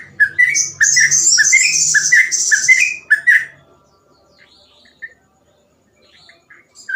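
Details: Sooty-headed bulbul giving rapid ropel song for tutoring young trucukan: rising whistled notes repeated under a dense, high, buzzy chatter for about three seconds, then near silence with a few faint distant notes and one final whistle.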